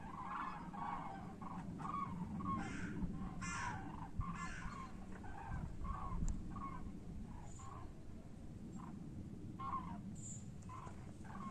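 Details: Common cranes heading back to Europe on migration, giving a run of rolling, bugling calls that follow one another closely, several voices overlapping, with a constant low background roar.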